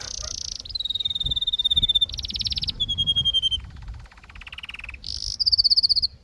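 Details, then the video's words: Singing canary running through a series of tours: a steady whistled trill, a dense buzzy roll, a falling whistled note, a lower rattling churr, then a bright high trill to finish. "Canary Singing"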